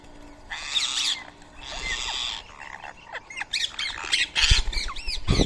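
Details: Rose-ringed parakeets at a morning feeding of soaked boiled rice in Coimbatore, India, 31 March 2024; raspy squawks in bursts with short, bent calls between them, and some low thumping noises.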